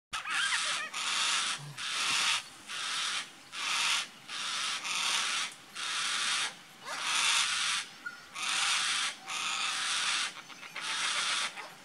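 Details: Yellow-tailed black cockatoos at Hamlet Downs, Tasmania, on 11/9/16 give harsh, rasping screeches, about ten drawn-out bursts in twelve seconds with short gaps between them.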